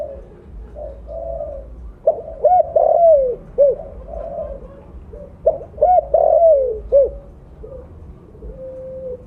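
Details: Strong-voiced spotted dove of the blorok colour form used as a lure call, giving two full coo phrases. Quiet opening notes rise into loud, arched hooting coos ending in a falling note, and soft notes trail off.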